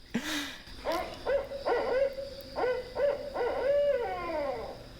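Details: Recorded Barred Owl hooting in a phrase people render as 'who cooks for you': a sharp first note, then grouped resonant hoots rising and falling, closing with a longer trailing hoot.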